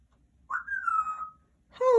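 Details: A 35-year-old female Congo African grey parrot kept indoors whistles on request: one clear, drawn-out tone that gently falls in pitch over about a second. A second, lower whistle starts just before the end, in a quiet small room.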